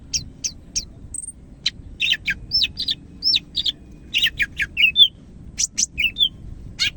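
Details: Medan greater green leafbird in full, lively song, mixing thin high ticks, hooked up-slurred whistles, buzzy chirps and short twittering clusters with brief pauses between phrases; a soft low background rumble persists throughout.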